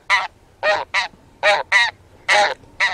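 Taiga bean goose giving seven harsh, nasal honks in three seconds, some single and some in quick pairs, against a quiet background.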